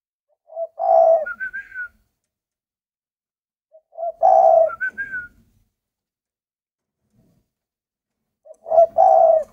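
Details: Captive spotted dove cooing indoors: three phrases about four seconds apart, each a low, throaty, rolling coo followed by short higher whistled notes, with quiet gaps between phrases.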